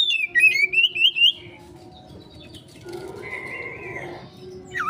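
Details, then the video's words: Oriental magpie-robin konslet lure song for a quick response: an opening run of four loud, wavering whistled notes, followed by a long quiet stretch with a steady faint hum and a short swoop at the close. "Pancingan Burung Kacer konslet,respon cepat...!"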